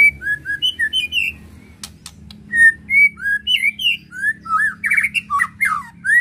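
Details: White-rumped shama (murai batu) song meant to provoke emotion: rich, fluty whistled notes delivered in quick varied phrases, some rising, some falling, repeating about three times a second, over a steady low hum.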